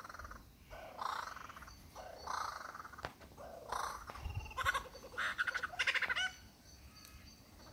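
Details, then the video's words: A male superb lyrebird displaying his repertoire to a female in the Dandenongs: rough, buzzy phrases and rapid rattling trills separated by short pauses, ending in a sharp click. "lyre bird song recital"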